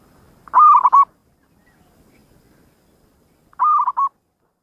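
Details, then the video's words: Local zebra dove, persistent singer with a distinctive voice, giving two soft, rolling coo phrases about three seconds apart, each broken into several quick clipped notes, against a quiet background. "perkutut lokal gacor_ suara mempunyai ciri has"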